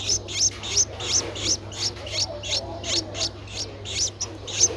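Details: Streak-eared Bulbul (Pycnonotus conradi/blanfordi) nestling, 11 days old, eyes opened at 7 days, Ubon Ratchathani, Thailand, 13 April 2023: thin, high, scratchy begging chirps about three a second over a low steady hum, begging for food.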